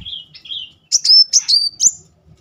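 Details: A brief Muncang sunbird phrase, recorded as a lure to trigger singing: two soft whistled notes, then four loud, sharp, high notes with short level tails in quick succession.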